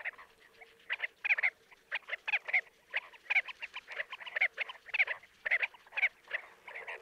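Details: Chestnut-bellied sandgrouse in Jeddah, Makkah Region, Saudi Arabia, giving throaty, guttural chuckling notes in quick clusters about once a second, possibly several birds calling together.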